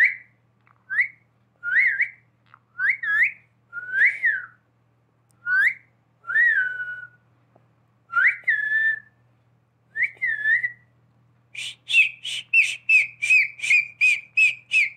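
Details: Talking pet parrot giving human-like whistles: a series of swooping, upslurred whistles about one a second, ending in a rapid train of a dozen short, bright notes. Faint steady hum beneath.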